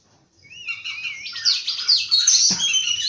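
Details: Oriental magpie-robin singing in the morning: a wavering whistle rises into a dense run of high, overlapping chirps and twitters, with a soft tap near the end.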